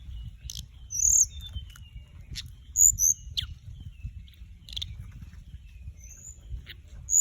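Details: Flycatcher with orange breast and white belly, male and female flying about, used as a lure recording: thin high whistled notes and sharp ticks scattered irregularly, with a low rumbling background.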